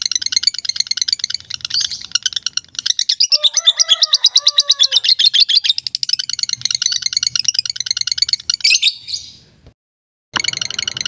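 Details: Lovebird in long ngekek song: a sustained high, rattling trill of fast repeated chattering notes, briefly joined by a lower squeaky call, then a short silence and the trill resuming.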